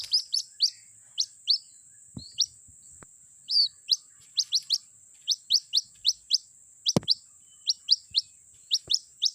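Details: Lure sound of a White-breasted Waterhen chick calling for its mother: runs of sharp, high, rising peeps with short gaps, a few knocks, and a constant thin tone.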